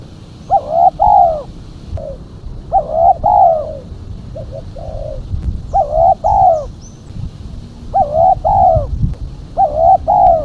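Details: Female spotted dove calling steadily to lure other doves: five loud rolling, throaty double-coo phrases spaced roughly two seconds apart, with a few quieter short coos between them and light background noise.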